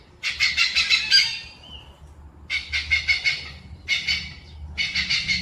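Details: A hornbill gives four runs of loud, grating, pulsed squawks, each lasting about a second or more, separated by brief silences.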